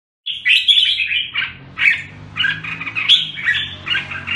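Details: Red-whiskered bulbul, fed on a named bird food, singing bright warbled phrases in short bursts with brief pauses between them.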